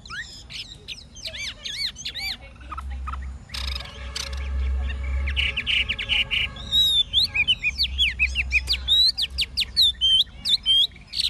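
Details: Old wild-caught hwamei in a cage, forest-voiced singer: sweeping whistled notes, broken by a stretch of low mechanical hum, then a busy return of varied fast repeated whistles.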